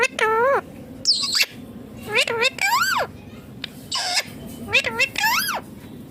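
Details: Ringneck green parrot talking: a run of short, voiced, speech-like syllables with rising and falling pitch, mixed with a few higher squeaky bursts, about eight utterances over six seconds, in a quiet indoor setting.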